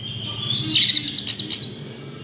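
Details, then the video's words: Brief orange-headed thrush phrase: a thin steady whistle leads into a short, loud jumble of very high twittering notes, with a faint low hum behind. "Anis Merah Kicau Sampai Teler"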